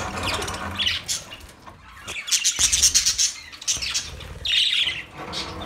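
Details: Budgerigars twittering in rasping, buzzy chirp runs mixed with soft fluttering and rustling, the calls coming in uneven bursts with short lulls.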